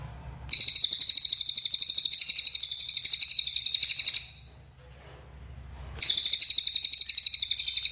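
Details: Energetic song of a lesser racket-tailed drongo (cililin): long bursts of very rapid, evenly pulsed high chirping, about four per second, broken by a short quiet gap before the chatter resumes.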